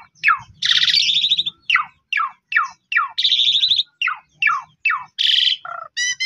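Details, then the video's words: Asian pied starling song played to prompt stressed or quiet birds to sing; repeated falling squeals alternating with harsh buzzy rattles, ending with a low cluck and bright chirps. "Pancingan Jalak Suren Paling Bagus !! Jalak Suren Pundung 100% Gacor"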